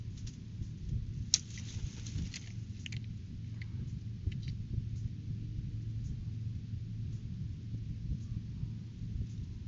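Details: Low steady rumble like an engine or room hum, with a few faint clicks and no animal calls.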